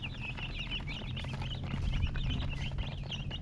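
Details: Chicks chirping in a crowded chorus, about three peeps a second, shrill short notes with wavering pitch, over a low droning background that swells slightly midway.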